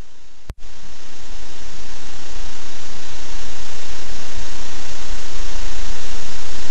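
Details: Harsh, overloaded broadband hiss and rumble after a sudden dropout near the start, with no animal sounds.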